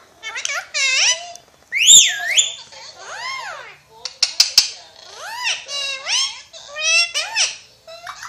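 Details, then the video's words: A pet rose-ringed (Pakistani ringneck) parakeet talks in a quick, high, nasal voice, mimicking human words in bursts of wavering, rising-and-falling syllables in a quiet room. "Ringneck Parrot Talking"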